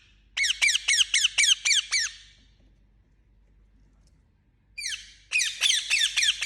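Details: Indian ringneck parakeet squawking in two bursts: seven rasping, falling notes, a pause of over two seconds, then another rapid series of harsh calls.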